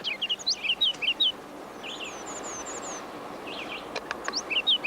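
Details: Ruby-crowned Kinglet singing in boreal forest during a breeding-bird survey, rapid very high thin notes, then a run of slurred descending whistles before a final burst of bright chips.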